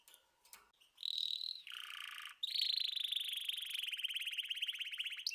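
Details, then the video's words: Canary song with a high whistled trill, a lower dense buzzy roll, then a long fast rattling trill. Faint rustles sound at the start. "طيور كناري تغريد"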